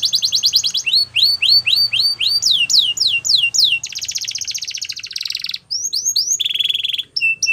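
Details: Canary song meant to stimulate other canaries: rapid rolling sweeps of whistled notes, then a dense buzzy trill, scattered chips and a steady level warble, changing phrases every second or two.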